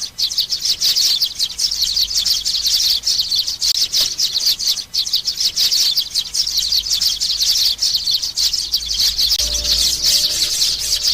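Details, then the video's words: Young sparrow calls, played to lure birds down onto glue traps: a dense, nonstop stream of high, sharp chirps and twitters, overlapping and unbroken for the whole stretch, with a faint low hum beneath. "tiếng chim sẻ non vip xuống keo"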